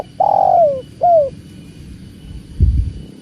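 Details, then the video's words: Spotted dove (tekukur) giving two coos: a long coo gliding down in pitch, then a shorter falling note, followed by a brief low thump. "Slow living starts here… with tekukur and the sound of water"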